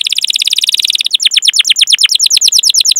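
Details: Canary singing lively rolled cuit-cuit song meant to lure other canaries: a dense buzzy trill that opens into a slower series of crisp downslurred notes repeated several times a second.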